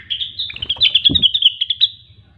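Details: Grey-cheeked bulbul, or cucak wilis, delivering a continuous run of quick bright chattering notes for about two seconds in the vigorous 'gacor' style, with a low thump midway.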